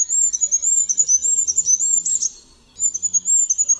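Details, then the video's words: A goldcrest (Regulus regulus) gives a rapid series of very high, thin, sibilant notes, about four per second, pausing briefly before resuming; nothing else is audible. "Mysikrólik. Odgłosy i Dźwięki jakie wydaje Mysikrólik."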